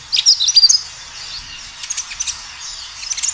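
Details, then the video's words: Kinoi singing energetically in a natural setting, played as a lure to prompt other kinoi to answer: a quick cluster of high, sharp chirped notes at the start, then scattered fainter twittering bursts. "Suara kinoi gacor"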